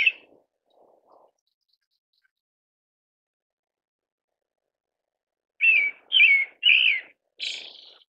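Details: A lone pale thrush whistle opens, then a long quiet, then three slurred, downward-bending whistled phrases and a final breathier, higher note.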